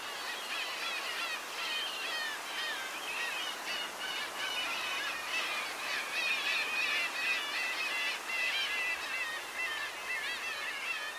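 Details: Black-tailed gull (Larus crassirostris) colony on Kunashir at Andreevka, 22 August 2016: a dense chorus of overlapping nasal, wavering, cat-like mewing calls, several a second, without a break.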